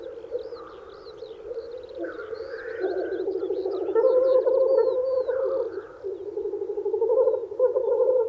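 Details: Black grouse males lekking in spring to woo females: a continuous low bubbling, rolling chorus that swells louder after three seconds, with thin high whistled notes above it.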